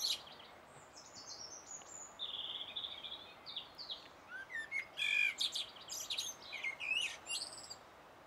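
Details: Common blackbird singing on 1 June 2016, filmed with a Sony HDR-PJ10E camera: high thin twittering and slurred whistles through the first seconds, then fuller fluty warbled notes mixed with rapid high twitters, phrases following closely over steady background hiss.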